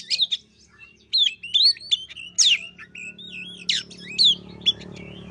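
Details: Lure recording of a white-rumped shama to prompt a silent bird: bright whistled phrases and sharp sweeping notes, with a steady low hum in the background.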